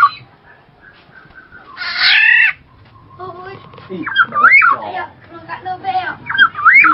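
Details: Black-naped oriole giving one loud, harsh, nasal call lasting about half a second, then a series of looping whistled phrases that rise and fall.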